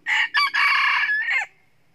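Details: Loud crow of a wild red junglefowl rooster, one of two that crow then fight, recorded during lasso trapping; a rough, broken crow of four parts over about a second and a half, the final syllable sliding down.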